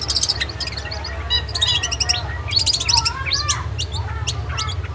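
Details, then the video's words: Long-tailed shrike tutor song for training singing birds: clusters of rapid high chips alternate with rising and falling whistled slurs, delivered energetically in short phrases over background hum. "MASTERAN CENDET GACOR MANTAP"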